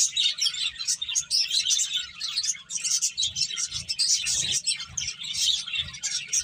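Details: Finches eating and playing give nonstop high, twittering chirps, fast overlapping notes with a faint low thud or two in the background.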